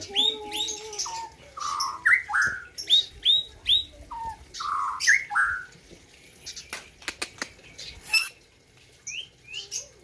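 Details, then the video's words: White-rumped shama from Gayo, Aceh, performing for the 2021 Presiden Cup: sweet rising whistles and rich warbled phrases, then a pause filled with sharp clicks and taps before a few soft closing notes. "ALUNAN MERDU MURAI BATU POLEM"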